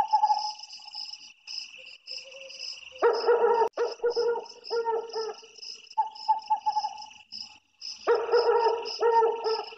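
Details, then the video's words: Calls of an owl in forest: rapid clusters of rich, stuttered notes that rise in loudness and then fade, with quieter single notes between them. Insects buzz constantly in the background. "Suara Burung Hantu Hutan"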